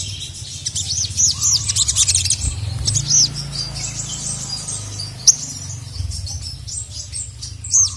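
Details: Caged sogon, female calling a male that responds agitatedly. Busy high chirps and trills, loudest early, with sharp isolated squeaks later over a steady low rumble.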